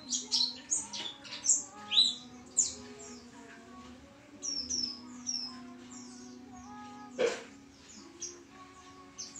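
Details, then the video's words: Pleci giving a burst of sharp, high chirps at the start, then sparser thin downslurred notes, with a single loud knock partway through and a low hum beneath. "pleci gacor"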